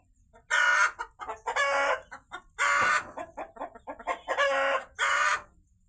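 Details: On a poultry farm, a rooster gives loud, harsh, drawn-out squawks about every two seconds, with quick clucks between, after a hen has laid eggs, apparently two, above; a person talks quietly nearby.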